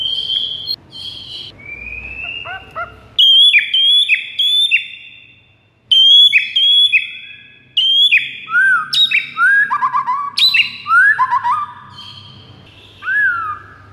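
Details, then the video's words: White-rumped shama master song played to lure rival shamas: rich varied phrases of loud clear whistles, held tones and downward slurs, broken by short pauses, with bursts of rapid notes toward the end. "PIKAT MURAI BATU LAWAN DENGAN MASTERAN MURAI BATU SATU INI"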